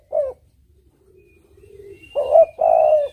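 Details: Tekukur cooing: a short closing note, a quiet low murmur, then a louder phrase of a brief rising note and a long steady coo, with a thin high whistle faintly behind.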